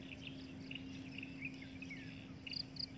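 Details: Breeding adult drongo giving scattered chirps and a falling slurred whistle, then three loud high pips near the end, over constant low hum.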